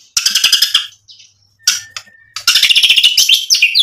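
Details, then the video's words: White-rumped shama singing a loud, varied song full of mimicked phrases, used to provoke rivals into answering: rapid bright chirp trills, a short pause with a thin whistle, then dense rattling bursts of high notes. "MURAI BATU GACOR bikin EMOSI lawan jadi NYAUT BUNYI BONGKAR MATERI ISIAN cocok buat PANCINGAN murai"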